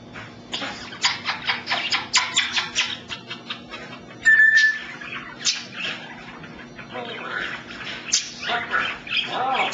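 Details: Pet male African grey parrot giving a quick run of dry clicking sounds, then one pure sustained whistle. Raspy squawks and mumbled speech-like noises follow, with a faint steady hum in the background.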